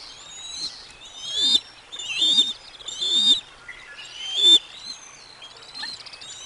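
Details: At the Decorah North nest, bald eagle eaglets and the adult female who has just delivered lunch, dated 05 06 2022: four high piping whistled notes come about once a second, each with a soft low thump beneath.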